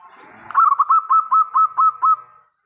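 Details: Local zebra dove song opening with a soft rustle, then seven or eight even, trilling coo notes with upturned starts, delivered in a brisk steady rhythm before trailing off.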